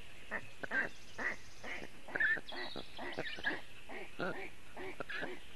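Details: Storklets of the black stork at a nest in Latvia, on a hot June afternoon when the parents are away, filmed by webcam: continuous harsh, nasal, rasping calls in rapid succession, calling for cooling, with faint bird twitters.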